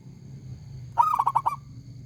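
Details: A local-type zebra dove with a big, loud voice, singing actively. One quick phrase of about five staccato, ringing coos, the first note slightly drawn out, over a low steady background hum.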